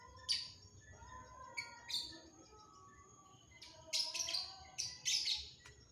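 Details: Long-tailed shrike song of scratchy, buzzy notes, first spaced out then packed into a fast harsh run, with softer warbled phrases beneath and a low background hum.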